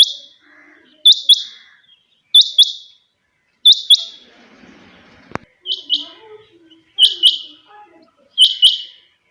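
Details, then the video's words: Early-morning quail in captivity calling steadily, a run of sharp high double notes about every 1.3 seconds, with a brief click and faint rustling between phrases. "Suba ky waqat chinga batair ki awaz/morning sound of Quail bird"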